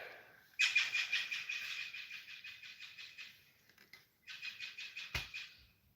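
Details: A Blue Jay calls, a fast run of harsh, nasal, high notes, about three per second, in two bursts split by a brief pause, with a sharp click near the end.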